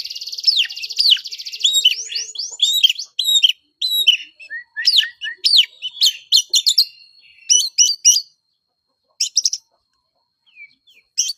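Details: Aggressive fighting song of a kacer, or oriental magpie-robin, used as a lure to rile other males: rapid run of downslurred whistles and chirps, then scattered sharp notes and short pauses near the end.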